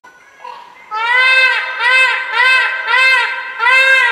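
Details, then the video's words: Peafowl (peacock) call: a run of five loud, nasal, rising-and-falling honks, roughly two per second, after a brief quieter lead-in. "Peafowl Call / Sound"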